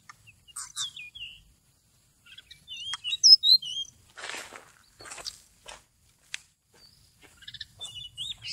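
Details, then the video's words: Seychelles magpie-robin song played or sung as a trapping lure, November 2016: scattered high chirps and clicks, a central burst of twisting whistled notes, then more sharp ticks and a final whistled phrase. "Trapping bird Seychelles magpie-robin attractive and most exciting 11/2016"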